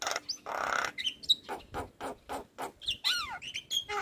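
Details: Javan myna of the white-eyed form, recorded as a prompt for lazy birds to sing; a noisy rasp, then sharp repeated chattering notes, with downward-curving whistles and a thin high whistle near the end.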